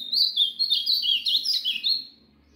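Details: Caged Ultramarine Grosbeak (azulão) during its daily warm-up, sun bath and care routine: a lively warble of high slurred, rising and falling notes lasting about two seconds, over a faint low hum.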